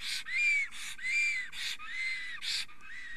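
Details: Excited male black stork in Estonia at 10:48 am on 30 April 2020, trembling and singing while a female is near the nest; repeated arched whistled notes, about one each 0.8 seconds, alternating with loud breathy hissing bursts.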